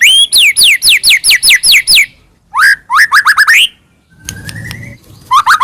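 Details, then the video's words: Song of a white-rumped shama meant to goad another shama into singing: a quick series of rising whistled sweeps, a pause, more rising notes, then a steady lower whistle with faint background noise. "murai batu gacor AMPUH buat PANCINGAN murai batu agar bunyi JADIKAN burung murai gacor EMOSI NYAUT"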